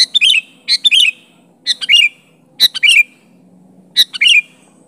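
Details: A sooty-headed bulbul summoning and pressuring a rival in natural voice: harsh, squawky chirp clusters with slurred descending tails, four bursts spaced around a second apart.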